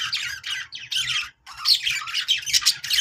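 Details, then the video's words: Budgies singing to encourage other budgies to sing: harsh, grating warble phrases and squeaky chirps in bursts, with a brief silent break near the middle before the chatter resumes louder. "budgies sounds to make them sing"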